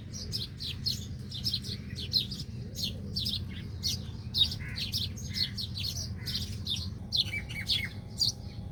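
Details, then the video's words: Small birds feeding at tree roots chirp constantly: quick, bright, downslurred notes tumbling over one another, with a faint lower steady tone entering near the end and a low continuous hum underneath. "Beautiful Bird Chirping Sound"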